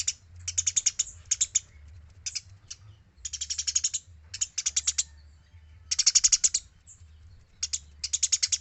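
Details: Eurasian tree sparrow recorded to train other birds, clean and vocal; repeated bursts of quick, clicking high chirps, some long runs of ten or more notes, separated by pauses of about half a second, with a faint low background hum.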